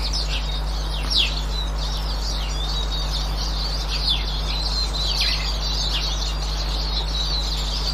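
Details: Eurasian siskins recorded on 18 March 2024: dense, high twittering chatter with repeated sharp downslurred notes near one, four and five seconds, over a steady low hum.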